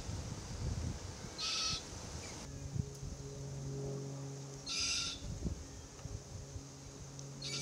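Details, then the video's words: Young Forest Red-tailed Black-Cockatoo (Calyptorhynchus banksii naso) complaining beside a feeding pair in a Marri eucalypt; harsh rasping screeches roughly every three seconds, with a steady low hum underneath. "Forest Red-tailed Black Cockatoo pair feed while their youngster complains incessantly."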